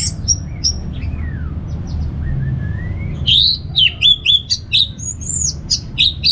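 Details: Orange-headed thrush, known locally as anis merah, in loose 'ngeplong' song. It opens with thin high whistles and slurred notes, then a dense run of loud, varied, rising and falling whistled phrases. A low hum runs underneath.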